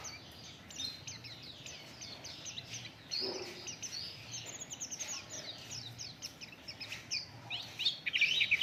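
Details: Oriental white-eye song played to lure other birds into singing: continuous high, fast twittering of thin chirps, growing louder and denser toward the end, with a brief low thud near the middle.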